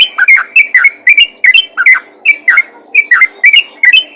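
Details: Yellow-vented bulbul calling other bulbuls with bursts of ropel chatter: clusters of two or three quick, bubbly whistled notes, separated by short gaps.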